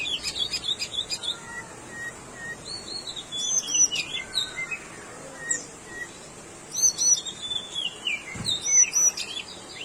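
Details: Tickell's blue flycatcher among a busy chorus of high, sweet whistled notes, some in quick descending runs and some as short paired chirps. The notes are repeated rapidly over steady background hiss, and several birds may be calling together.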